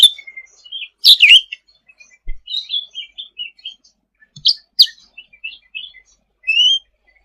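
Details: Sooty-headed bulbul in full song as tutor material for songbirds: an irregular string of chirps and whistled slurs with loud bursts and a clear upslurred note near the end, plus a few knocks.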